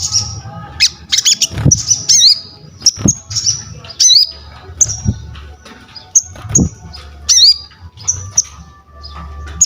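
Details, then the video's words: Crested jay calling actively, its sounds used for training and luring other birds: sharp high chirps, a looping whistled squeak, and short rattles spaced through the clip over low background rumble. "SOGON GACOR UNTUK ASAH MENTAL, MASTERAN DAN PANCINGAN BUNYI"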